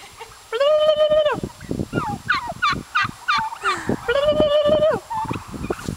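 Wild turkey calling: two drawn-out, even nasal notes bracket a quick run of wobbling, gurgling notes, with scattered dry clicks and knocks throughout.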